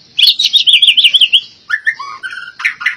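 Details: Albino white-rumped shama singing: a rapid run of bright, slurred whistled notes repeated in quick succession, then several lower, clear whistled phrases and a final burst of sharper chirps.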